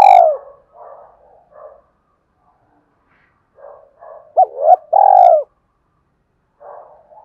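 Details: Spotted dove call, played to lure birds. Soft, scattered low coos give way to two quick hooked notes and a loud, long, rough coo that falls at the end, followed by more faint cooing.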